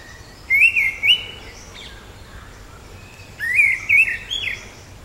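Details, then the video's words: Orange-headed thrush (Zoothera citrina), also called black-eared ground thrush: two bursts of clear, warbling whistled phrases, wavering up and down in quick notes with fine high twitters, separated by a quiet pause. "橙頭地鶇/Orange-headed Thrush(Zoothera citrina)call"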